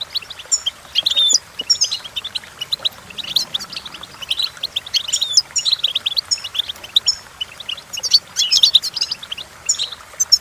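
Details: Long stretch of goldfinch song, presented for training goldfinches to sing: an unbroken stream of fast, tinkling twitters, sharp chips and brief buzzy rattles, rising in intensity in bursts, over a faint background hiss.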